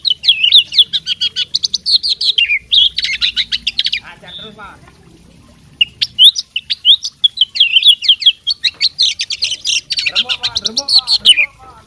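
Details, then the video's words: Steady, chatty song from a fighting oriental magpie-robin showing off its whole mimicry repertoire: long rapid runs of bright chips and twisting whistles, one short lull, and some lower rattling phrases near the end. "suara kacer petarung bongkar isian gacor full masteran"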